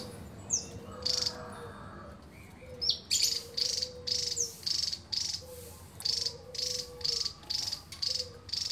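Javan tesia delivering a non-stop run of loud, high, sharp bursts about twice a second, over faint lower whistles and a soft insect hum.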